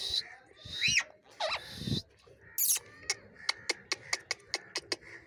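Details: Angry parrot making a mix of sounds: swooping, whistled, speech-like notes, a harsh squawk, then an evenly spaced run of short, sharp clicks.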